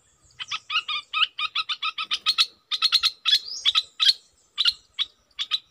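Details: Red-whiskered bulbul decoy bird giving rapid bursts of sharp chirping notes in quick runs, then louder, spaced two-note phrases with a rising slurred whistle, repeated about every half second.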